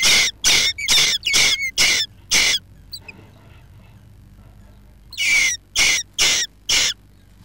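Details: Jackdaws nesting under a roof: a fast run of six sharp, harsh calls, a pause of about three seconds, then four more in a quick series.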